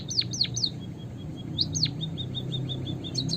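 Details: White-headed munia, called emperit kaji, in a trapping lure recording: three quick down-swooping whistles, a pause, two more swoops, then a string of short flat piping notes ending in high doubled chips, with low background rumble.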